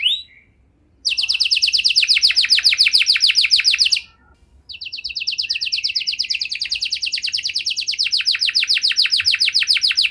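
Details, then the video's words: Canary song meant to stimulate stalled canaries: long rapid trills of falling notes separated by two brief silences, the rhythm steady and very fast. "Kenari Gacor Durasi Panjang Cengkok Istimewa! Efektif Buat Memancing Kenari Macet Biar Gacor Kembali"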